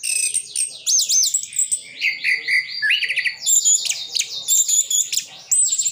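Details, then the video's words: Sidoarjo, East Java: a caged orange-headed thrush delivers a continuous varied song, repeated looping whistled notes, rising and falling slurs, and high trilled chatter packed tightly together. "Anis Kembang isian full"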